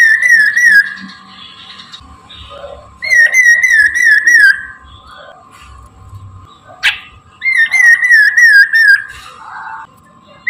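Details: Chinese hwamei singing in the morning, used as a lure for catching birds: loud, rich whistled phrases of quick wavy notes, about two seconds each, separated by pauses, over a steady low electric hum and faint background noise.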